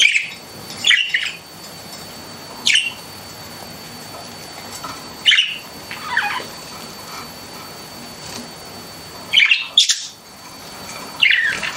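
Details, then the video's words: Scattered sharp chirps from pet budgerigars, single squeaky notes and short bursts every couple of seconds, with quiet room hiss between. "CUTE PET BUDGIES CHIRPING"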